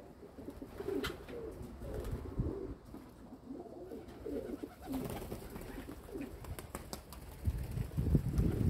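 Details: Several domestic pigeons cooing in short, rounded, throaty phrases one after another, with clicks, knocks and louder low-pitched noise near the end.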